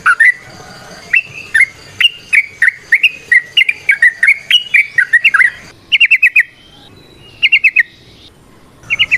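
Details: Trucukan, the yellow-vented bulbul, giving a ropel variasi song with nrotok and ngecuplik parts: a string of rising slurred chirps, then tight clusters of quick rattled notes separated by pauses.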